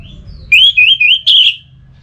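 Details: Orange-headed thrush in ngeplong song meant to get another bird singing: a sustained, wavering whistled warble at steady mid-high pitch, broken into three connected segments, then fading.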